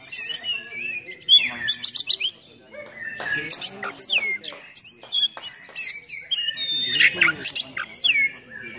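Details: Oriental magpie-robin singing full-on with rough fill-ins, used as a training and provoking song for other magpie-robins; quick bursts of chips and clicks, high whistled notes and scratchy phrases in rapid succession.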